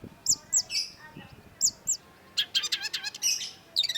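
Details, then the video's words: Cendet (long-tailed shrike) singing hard as a lure for a bird that has stopped singing: very high thin pips in pairs, then dense bursts of rapid chattering notes and a final quick trill. "cendet gacor LANGSUNG GACOR !! PANCINGAN CENDET MACET || Long-tailed Shrike"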